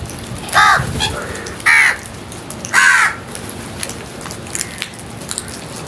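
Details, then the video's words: Crows calling while feeding: three loud, harsh caws with broad, rasping tone, spaced about a second apart, followed by quieter background with faint ticks and distant noise. "Crows Sounds | Crows lovely and wonderful world | Crows feeding"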